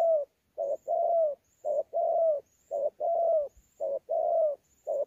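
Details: Spotted dove, a wild-caught bird with mixed fighting coo and gù coo, Sa Thầy, 26 November 2019: paired mellow coos, a short note then a longer slightly falling one, repeated steadily about once a second, quiet background.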